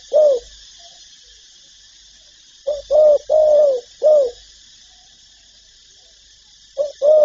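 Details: Spotted dove, from a set of calling, urging and cooing phrases used to stir decoy birds: a low cooing note, then a cluster of four mellow hooting coos near 2.7 s, a pause, and two more at the end.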